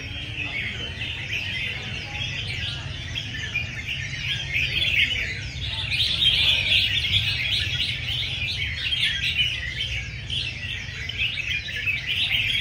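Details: Red-whiskered bulbuls in a singing competition session, a big crowd of fans present: a continuous tangle of rapid, high chirping phrases from many birds, swelling louder midway, over a low rumbling hum.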